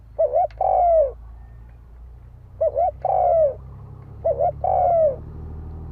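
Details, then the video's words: Spotted dove cooing in fighting style as a lure: three even phrases about two seconds apart, each a brief doubled note and a longer falling hollow coo, with a low background hum throughout. "Tiếng chim cu gáy đấu bổi dùng kích mồi"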